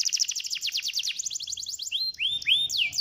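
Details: Canary song meant to prompt a reluctant canary to sing: rapid repeated downward-sliding notes in a fast trill, ending with a few slower, looping whistled sweeps.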